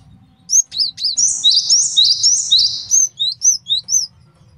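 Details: A male cinereous tit, kept as a master song for tutoring and luring birds, gives a few sharp notes, then a fast run of downslurred whistles, then five spaced, clear descending whistles.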